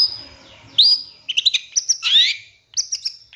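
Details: Long-tailed shrike master song for provoking other birds, with rapid shot-like fill notes: a thin high whistle, then a rising slurred note, quick clipped chirps and a harsh rasping burst, ending in fast high twitters.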